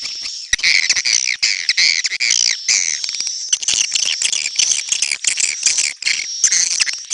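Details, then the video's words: Swiftlets calling: dense, continuous high chirping and twittering, many overlapping rapid buzzy chirps with sharp clicks, no pauses. "SUARA BURUNG WALET"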